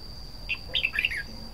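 Red-whiskered bulbul giving a brief, bubbly phrase of five or six quick, slurred whistled notes, over a faint steady high-pitched whine.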